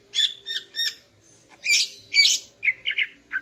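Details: Greater green leafbird female singing in the morning to excite a male: three even chirped phrases, then two loud harsh squawking notes and a quick run of lower twittering chirps.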